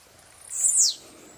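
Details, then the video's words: Blue-black grassquit singing in the wild: a single short, high, buzzy note that slurs sharply downward, rising in loudness and fading quickly, with a quiet background. "Tiziu na natureza"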